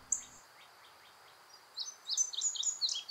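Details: Indigo Bunting song in Virginia woods: a quiet opening with a few faint high notes, then from about two seconds a lively burst of high, thin paired notes, sharp and slurred, in quick succession.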